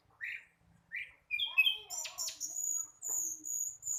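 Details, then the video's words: Young flycatcher still learning its song: a couple of soft rising chirps, then a jumble of squeaky notes and long thin high whistles. "Sikatan londo masih belajar bunyi"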